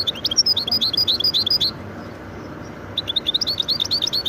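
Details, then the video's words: Goldfinch × canary hybrid singing bright, rapid twittering phrases of high chirps and short whistles, a pause of about a second, then another fast twittering burst, over a low steady background hum. "هجين ويداني ممتاز"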